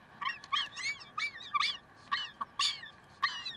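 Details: Peregrine falcons at Karlsruhe, recorded 30 May 2010 at 7:27: short, wavering, whining calls with rich overtones, repeated roughly once a second in a loose series over a steady low hum.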